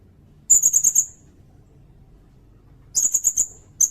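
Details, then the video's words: Sirindet singing, used to train songbirds such as the magpie robin and for trapping, with two quick bursts of four to five piercing high chips, each run lasting about half a second. "Suara burung sirindet buat masteran bagus juga buat pikat"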